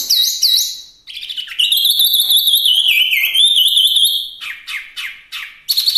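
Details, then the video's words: A Chinese hwamei sings a loud, rich run of clear whistled phrases that slur up and down, shifting quickly between notes with no other sounds. "Suara Asli Wambi Mini/Hwamei Gacor"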